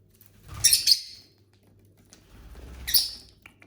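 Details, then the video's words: Lovebirds kept as pets give two separate bursts of high, scratchy chirping about two seconds apart, mixed with soft low rustling from feeding. "Bird sounds for lonely lovebirds (Eating, Singing & Chirping Sounds)"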